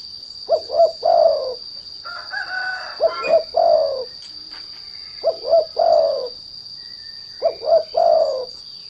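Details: Derkuku (spotted dove) calling as a lure to make other doves sing: three-part coo phrases, two brief notes then a drawn-out falling coo, repeated every 2.5 seconds, with faint chirps between and a constant high-pitched hum.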